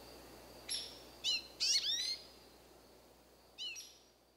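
American goldfinch giving a few short, high, sweet twittering call notes in quick clusters, with quiet pauses and a faint background hiss.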